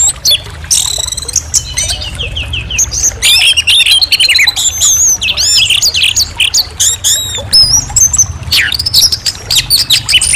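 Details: Orange-headed thrush song, a dense stream of high, rapid whistles, buzzy trills and sharp chips that change from phrase to phrase with barely a break.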